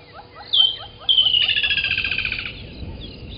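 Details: Early-morning song of a woodland kingfisher at a waterhole in Djuma Game Reserve, Sabi Sand, South Africa, 18 December 2020: a piercing single note followed by a whistled lead-in and a descending, pulsing trill over a second long, with faint soft chirps beneath.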